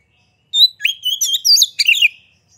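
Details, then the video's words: Oriental magpie-robin singing energetically with tail spread, a recording meant to provoke rival birds into song: one quick phrase of clear rising whistles and twisting chattery notes lasting under two seconds, clean background. "Pancingan Suara Kacer Gacor Buka Ekor! Buat Kacer Lain Pasti Ikut Emosi Gacor Ngobra"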